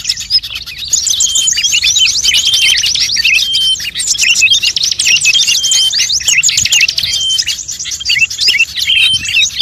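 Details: Lure sound meant to draw in birds, a blend of many species: a continuous wall of rapid high buzzy trills and chattering chirps, broken by short clear whistles, after a quieter first second.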